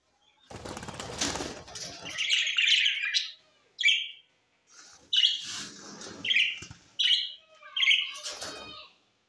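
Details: Parrot from Larkana, Sindh, recorded September 13, 2023. A rustling, broadband noise opens, followed by a series of short, bright chirped phrases spaced about a second apart, separated by quiet gaps.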